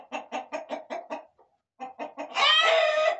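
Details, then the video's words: Roosters and hens in a corral: a run of six short, evenly spaced clucks, a pause, more clucks, then a loud, harsh, drawn-out squawk closing the clip. "Gallos y Gallinas"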